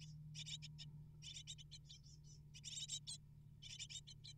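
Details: Eight hungry great tit nestlings, fed prey by both parents at the nest, beg in a high, hissy chorus of rapid chirps in clustered bursts roughly every second over a steady low hum.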